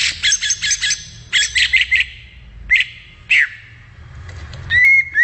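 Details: Greater green leafbird in the wild giving quick clusters of bright chips and short whistles, then spaced single slurred notes. It ends with a long, clear, level whistle. Faint low background hum.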